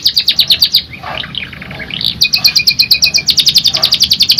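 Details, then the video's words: Canary in full song with rapid rolling trills: fast, evenly repeated high chips, a slower sweeping middle passage with a sustained whistled tone, then another long trill. "KENARI GACOR NGEROL NEMBAK | CANARY SINGING"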